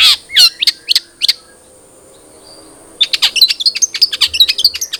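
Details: Long-tailed shrike song used as a lure to prompt captive shrikes to sing quickly: a burst of sharp high chirps, a quiet gap of nearly two seconds, then a rapid run of scratchy, varied high notes.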